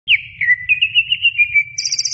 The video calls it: Suara Burung Cucak Ijo